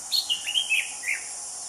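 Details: High-pitched phrase from a wild anis cendana thrush: five or six short descending whistled slurs in quick succession, backed by constant insect buzz.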